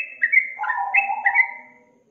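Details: Yellow-vented bulbul lure song for a reluctant young bird: a short, rich, gurgling phrase of overlapping liquid whistles that fades out.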